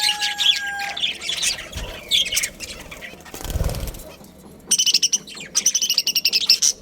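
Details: A budgerigar breeding pair chirps and chatters, then wings flap loudly mid-way before a run of quick, evenly pulsed high warbling notes.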